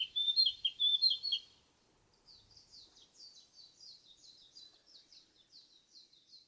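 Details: Narcissus flycatcher, called the forest singer, gives a loud, clear whistled warbling phrase for about a second and a half. After a short pause comes a softer, rapid series of repeated high chirping notes running to the end. No other sounds stand out.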